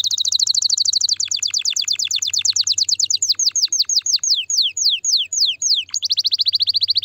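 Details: Canary song intended to stimulate the female: a fast high trill slowing into widely spaced downward-sweeping whistled notes, then a renewed rapid trill, with a faint low hum beneath.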